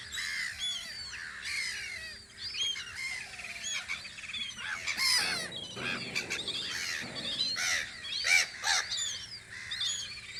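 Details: Seagulls at their guard post on Audru polder, recorded in spring: a dense chorus of overlapping harsh, arching cries and yelps from many birds, with a steady faint low hum beneath.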